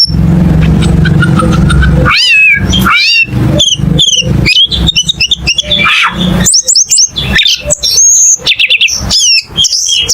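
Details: Cucak keling, a caged Indonesian songbird, sings loud, varied whistled phrases: sliding, looping notes and rapid chips crowd the second half, after a rumbling low noise that fills the opening two seconds.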